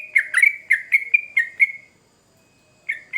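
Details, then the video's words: Lively song of a trucukan, or yellow-vented bulbul, played as a lure for quick replies: about seven bright chirps in quick succession, a pause of near silence, then two more chirps. "Trucukan Gacor Ngamuk Pancingan Cepat di Respon Burung Trucuk"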